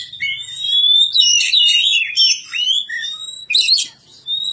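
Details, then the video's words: Village-reared young magpie-robin pouring out a sustained song of pure rising and falling whistles interwoven with buzzy chatter, ending after a short pause with one more whistle. "kicau burung kacer"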